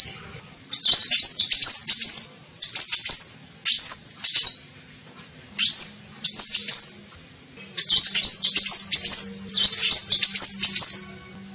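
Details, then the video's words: Lure call of a kolibri ninja sunbird, for luring birds: about ten bursts of high, squeaky, rapid chirping, with two rising whistle-like squeaks among them and short silent gaps. "SUARA PIKAT KOLIBRI NINJA"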